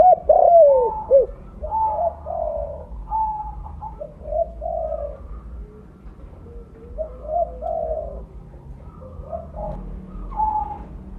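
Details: Spotted dove of the mottled 'blorok' colour variety, a vigorous loud-voiced caller used as a lure: deep hooting coos open the clip, followed by softer lower coo phrases, with higher whistled notes from other birds throughout.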